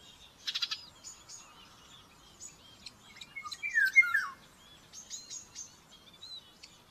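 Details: Common buzzard chick begging at its nest during a breakfast feeding, Tiszalök, Hungary, May 5, 2024, via nest cam: a single loud squealing whistle that slides steeply downward, amid bursts of rustling and light songbird chirps.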